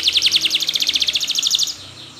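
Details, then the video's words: Spanish Timbrado canary, training song: a rapid even trill of pulsed chirps, roughly ten per second, lasting under two seconds before fading to a soft hiss. "Your Canary Will Not Stop Singing With This Training Song"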